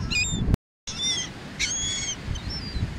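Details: Wild seagulls flying over a beach in Atlantic City, New Jersey, USA, while being fed: clear high squealing cries with layered overtones, two or three in quick succession, with wind rumble beneath.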